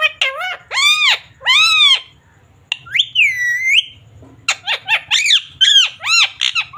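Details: Pet parrot talking in Hindi, repeating words like mummy, papa and mithu: loud, harmonic-rich syllables with arching pitch, short phrases in quick bursts separated by a brief pause, one long drawn-out slurred note in the middle.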